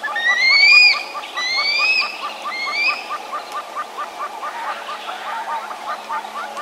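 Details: African harrier-hawk calling among grey hornbills, double-spurred francolin and doves: three drawn-out, thin whistles sweeping upward in the first three seconds, then a steady run of short, low repeated notes from other birds continues to the end.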